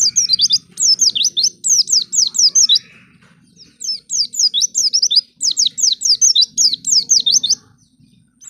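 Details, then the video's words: Song used to stimulate other white-eyes to sing: high rapid whistled twitters sliding downward, given in two long bursts separated by a brief gap, faint low hum underneath. "Pancingan Pleci Paling Handal Bikin Pleci Bahan Cepat Bunyi"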